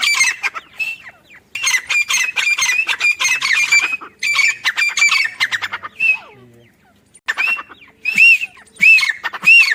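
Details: Rapid bursts of harsh, grating notes from a female grey francolin, or teetar, recorded in a mango farm. The calls come in bouts separated by short silences, ending with a few spaced, arching notes.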